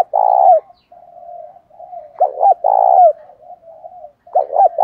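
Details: Spotted dove used as a decoy, its 'thổ pha' voice meant to provoke fighting: a drawn-out coo, then quiet murmuring coos, then a stuttered pair of notes and a long sustained coo, with another phrase starting.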